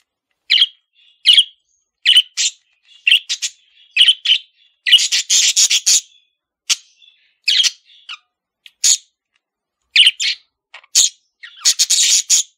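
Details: A pet male parakeet chirps repeatedly in sharp, bright notes, some doubled, with a stretch of rapid harsh chatter in the middle.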